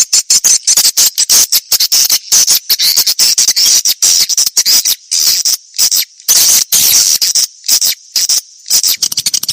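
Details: Old-style swiftlet lure sound from 1972, used to draw swiftlets in: dense runs of rapid high clicks and twittering chirps, broken by brief gaps, with buzzy rasping stretches.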